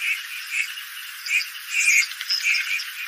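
Red-crested pochards give short, wheezy, rasping notes in quick, uneven bursts, several overlapping, over a steady high hiss.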